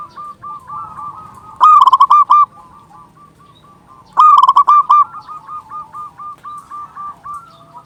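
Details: Local zebra dove with a big, lively voice, used to lure doves and rouse quiet birds: two loud bursts of rapid, throaty cooing notes near the middle, with softer cooing from other doves continuing throughout.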